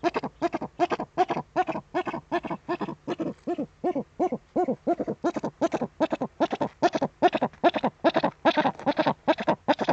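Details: At an Eifel eagle-owl webcam nest, evening of 23 February 2015, as the male Eurasian eagle-owl brings the female a prey gift, a fast unbroken series of hoarse, clipped barking notes repeats more than twice a second.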